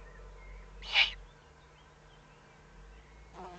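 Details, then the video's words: One short rasping hiss from owlets warning while threatened, evening of 22 May 2015 at 20:42, followed by a softer noisy rustle near the end. "Owlets threatened and warning"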